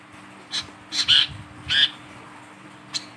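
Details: Wiceh, a lively singing bird held in the hand, its voice used as a lure for other birds; a few short harsh notes around 0.5, 1.0 and 1.8 seconds, then a brief sharp note near the end, over a low steady hum.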